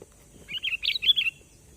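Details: Sooty-headed bulbul sound used as a lure call for trapping: one short, bubbly phrase of about five quick, fluty, slightly slurred notes in under a second, over a quiet background.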